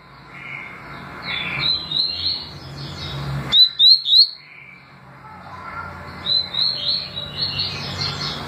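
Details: Double-collared seedeater, tui tui and deputado song styles: a short burst of three or four piercing whistled notes amid steady hiss and softer, blurred chirping.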